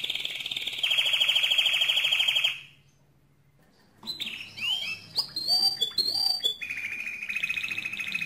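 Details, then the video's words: Mosaic canary singing strongly: a fast, ringing rolled trill, then about a second and a half of silence, followed by varied swooping whistles and chips before a low steady roll returns. "le Chant le plus fort de canari mosaïque"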